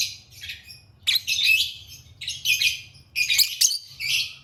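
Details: Lovebird chattering in rapid, harsh, high-pitched chirp bursts, four or five dense clusters in quick succession over a faint background hum.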